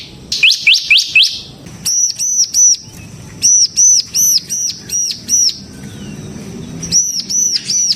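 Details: Bar-winged prinia, a kept bird whose song serves to lure and tutor other prinias: a few quick downslurred chips, then spaced, arched, high whistled notes repeated roughly twice a second with pauses.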